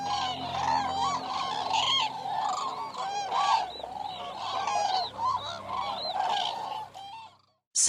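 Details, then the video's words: Overlapping bugling calls from a gathering of Eurasian cranes, a busy run of rolling, rising notes that stops abruptly near the end. "Eurasian Cranes Sound Library"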